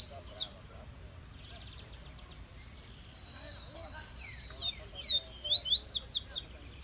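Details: Coleiro (double-collared seedeater), a kept bird said to be coming out of its molt rest period, sings short high chirps early on. After a quiet stretch, a fast burst of bright, sharp, descending twittered notes follows near the end, over steady background hiss.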